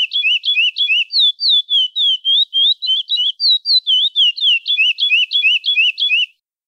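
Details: Chestnut-bellied seed finch sings the classic "praia" song type: a steady run of about twenty clear, high whistled notes, roughly three a second, each swooping up or down. No other sounds.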